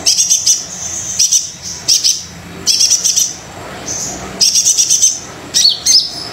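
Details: Brown-throated sunbird in energetic song, played to prompt reluctant birds: very high sizzling trills in separate bursts under a second long, repeated at irregular intervals, with a few sharp chips near the end.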